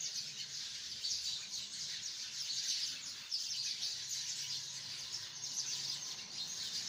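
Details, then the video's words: Hundreds of sparrows in a tree keep up a busy, bright chirping, many overlapping short notes with louder bursts around the middle, plus a faint low hum. "chirping of hundreds of sparrows in the tree"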